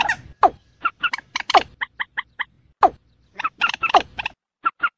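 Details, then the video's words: Watercock (ayam-ayaman) giving slow 'peruk' calls: scattered hollow, falling notes separated by short silences, with groups of three or four quick, higher clipped notes between them. "Suara burung ayam ayaman vs peruk pelan"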